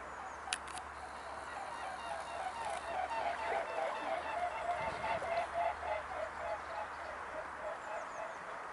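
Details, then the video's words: Mute swans flying around at Neuer Teich on 20 January 2017 at about 09:23. Rapid, repeated mid-pitched honking notes run over a steady broadband background hiss, with a few sharp clicks near the start. "Wow flying around Swans Neuer Teich"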